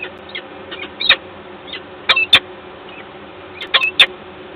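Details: Common starling, agitated and loudly screeching, Gdańsk, 29 August 2022; a few sharp, grating clusters of notes spaced a second or more apart against low background noise.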